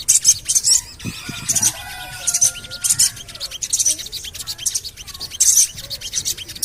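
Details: Javan cochoa lure calls meant to prompt caged birds to sing: sharp, high chattering bursts in short runs, pausing between groups, over thin, drawn-out whistles from other birds.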